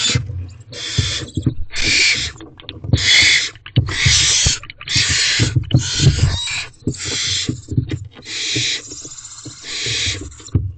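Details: Barn owls in a nest box on a May evening at 8:16 pm while the male delivers a rodent and leaves: about ten harsh, breathy hissing screeches in quick succession, with thumps and scuffling.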